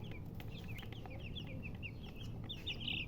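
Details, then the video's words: Several chicks peeping in quick succession, short high downward-sliding chirps with a louder, longer cheep near the end, steady low hum underneath. "Baby "Chicks Chirping" Sound"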